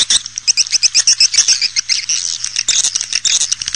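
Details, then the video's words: Swiftlet calls used to lure swiftlets into bird houses: a dense, rapid run of high, buzzy chirps repeated about four times a second, overlapping and uneven, with a faint low hum underneath. "SUARA PANGGIL BURUNG WALET"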